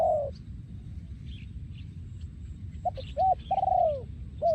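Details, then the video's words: Breeding male spotted dove singing yon khu ang style: one falling coo at the start, then after a quiet gap a short double note and a long sliding coo, with faint high chirps of small birds. "พ่อพันธุ์ 2023 โยนคูอ่าง"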